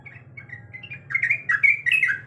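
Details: Sooty-headed bulbul hen calling to a male while in heat, starting with soft scattered chirps, then bursting into louder, rapid gurgling notes with a bright, slightly harsh edge.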